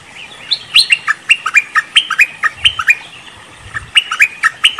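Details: Cream-vented bulbul trapping lure: nearly continuous chatter of clear, falling chirps, repeated several times a second and briefly interrupted before resuming.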